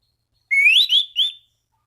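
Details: Orange-banded thrush calling rivals: one ringing whistled phrase that climbs smoothly, then breaks into two shorter level whistles.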